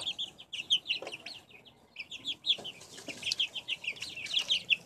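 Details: Backyard chicks recorded in 2015 peep busily, a dense chatter of short high cheeps overlapping and rising and falling in bursts, with brief quieter gaps between flurries.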